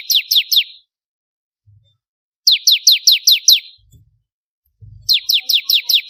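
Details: Song of a bar-winged prinia, used for songbird training: three bursts of rapid, sharp, falling notes repeated about five to seven times, with gaps and a few soft low knocks between.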